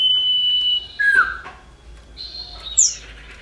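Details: Common iora (cipoh) male and female, a female calling males, played as a lure to make birds sing. A long level whistle, then a drop to a lower slurred note, and a rising then falling high whistle.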